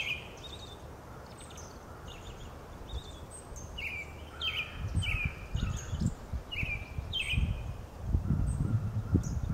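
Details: Brown-headed Nuthatches, male and female, ferrying food to chicks on a sunny, cool, lightly breezy day, 4/9/2020, Lafayette County, Mississippi; repeated squeaky down-slurred calls with thinner high chips, over gusty low wind noise.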